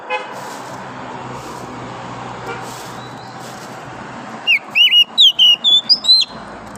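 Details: Oriental magpie-robin, wild forest bird in the morning, heard first behind steady traffic-like rumble and faint voices, then bursting into a quick run of eight sharp whistled notes that step upward in pitch.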